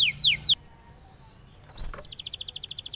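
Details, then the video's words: Spanish timbrado canary in a song meant for training canaries. Three loud, sharply falling whistled notes are followed by near silence and a brief click. The passage ends with a soft, rapid trill of repeated high notes. "SPANISH TIMBRADO SONG FOR TRAINING - canary training song"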